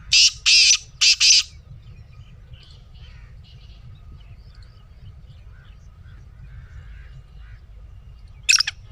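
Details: Black francolin calling, played to make a caged francolin answer: three loud, scratchy, rasping notes right at the start, then a long quiet gap with faint soft sounds and one short sharp note at the close.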